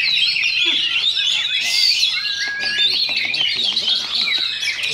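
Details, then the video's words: Sunday practice singing contest in Sindanglaut, session two, where Oriental magpie-robins duel: a rich, unbroken stream of sweet whistles, scratchy notes and fast warbles, with people talking in the background. "Oriental Magpie Robin Singing Contest"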